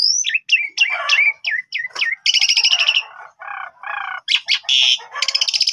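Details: Asian pied starling singing to prompt other starlings to respond, a busy mix of sharp whistled notes, harsh squawks, buzzy trilled bursts and lower chattering phrases delivered in rapid succession.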